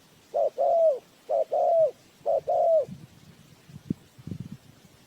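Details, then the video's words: Spotted dove decoy for a bird trap: three short-long coo phrases, the longer note falling, then the calling stops and low rustling and tapping follow. "Tiếng chim cu gáy mồi chuẩn gáy gọi cực hay"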